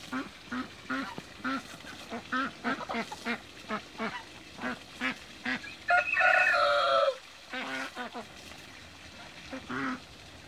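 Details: Toulouse geese, mature and young, swimming in a backyard pond: a steady run of short nasal honks, about three per second, broken by one long loud harsh honk near six seconds, then quieter calls.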